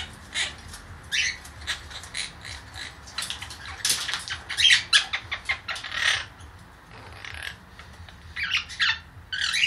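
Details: Baby blue Quaker parakeet, a pet female caged for her first days in a bird room, chatters with scratchy squawks, short raspy bursts and clicks, busiest in the middle and louder toward the end, over low indoor hum.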